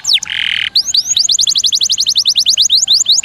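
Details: Canary song for training competition birds: a few falling whistles, a short harsh buzzy note, then a fast, even run of repeated sweeping notes.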